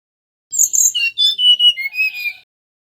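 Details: Melodious song of a male mangrove whistler, played to attract other birds. Bright high notes give way to descending whistles and a wavering, slightly rising close.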